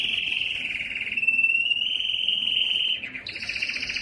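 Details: Sustained warbling whistle from a yellow canary, held for about three seconds, then breaking into a fast rolling trill.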